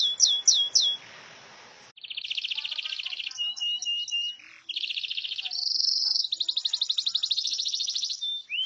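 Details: Canary master song for training other birds, opening with three quick swooping notes, then a series of steady buzzy trills at changing pitches, a high sustained tone and a rapid rattling run.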